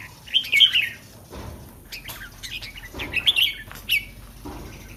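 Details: Caged red-whiskered bulbul, kept in Thailand for singing contests, heard before a competition: short warbled phrases around mid-high pitch, two bursts about three seconds apart, with faint clicks and other birds chirping in the background.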